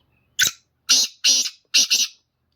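Black francolin song: a short phrase of four harsh, grating, high notes, the last two doubled, delivered in under two seconds.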